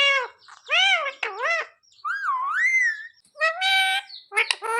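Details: Tame parrot practising human words such as "mummy papa": a varied run of voice-like syllables, some wavering and bending up and down, others short and clipped, delivered in bursts.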